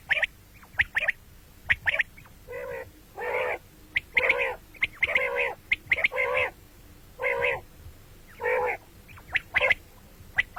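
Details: Common quail calls, morning and night: a steady run of harsh nasal buzzy notes alternating with crisp doubled clicks, nearly continuous over ten seconds.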